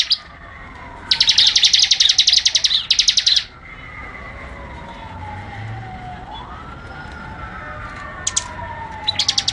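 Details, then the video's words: Bar-winged prinia in a lively tutor recording, giving a two-part burst of fast, high, rattling notes, then short fragments near the end. A faint, long, sliding siren-like whistle runs underneath throughout. "masteran suara ciblek gacor"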